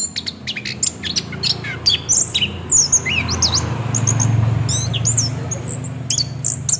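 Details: Orange-headed thrush in 'ngeroll' rolling song, a lure to prompt singing. Bright whistles, quick chips and rising and falling slurs tumble together over a low rumbling hum that swells midway.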